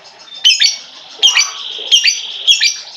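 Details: Lovebird calling as a lure for a lovebird that has stopped singing: shrill squeaky squawks in quick pairs over continuous buzzy twittering.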